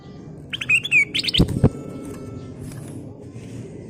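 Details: Full sooty-headed bulbul song used as a lure for other birds: a burst of quick chattering and whistled notes, with two dull knocks midway, over steady low background noise.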